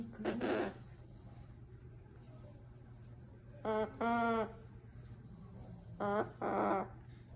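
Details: A noisy umbrella cockatoo gives loud, harsh, raspy squawks in short bursts, several in pairs a couple of seconds apart, over a low indoor hum.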